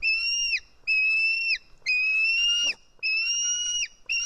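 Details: A White-tailed eagle chick in Estonia, 4 July 2018, screams while being fed fish; long piercing whistled screams, flat then falling, about one each second, one ending in a brief rough burst.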